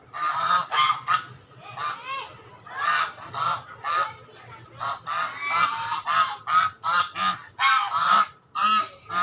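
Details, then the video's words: Several swans calling together: a busy, overlapping chorus of nasal trumpeting honks, growing denser and faster toward the end with almost no silence between notes. "Angsa🦢Swan🔊Original Sound"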